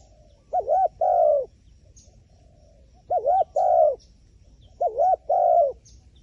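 A wild pigeon gives a low, mellow two-part coo, a short wavering note and then a longer falling one, repeated three times about every two seconds.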